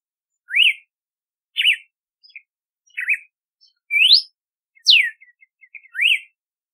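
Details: Red-cowled cardinal delivering a string of whistled phrases, rising arches, zigzags, an upward sweep and a falling slur, with soft short chips between them.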